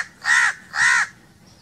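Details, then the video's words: Two harsh, raspy crow caws, each about a quarter second long and evenly spaced, over a quiet background. "1 hour crow crowing sounds"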